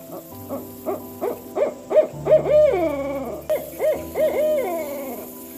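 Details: Owl giving a series of quavering hoots, some drawn out into descending wails, about three per second, with a constant low electrical hum behind.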